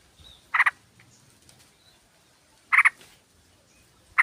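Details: Female sooty-headed bulbul calling a male, used as a lure among a flock; three loud, harsh, stuttering bursts spaced about two seconds apart, each made of quick doubled notes, over quiet background.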